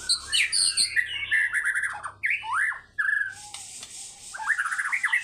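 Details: Fighter-style White-rumped shama song, full of varied material: busy high chattering, then loud rising and falling slurred whistles and harsh bursts, with a scratchy rushing patch near the end.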